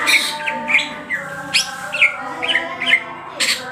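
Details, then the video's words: Greater green leafbird singing actively, with raised crest and spread tail: a varied run of loud, sharp chirps and slurred squawky notes repeated about every half second, over a steady low hum. "CUCAK HIJAU GACOR NGENTROK JAMBUL BUKA EKOR"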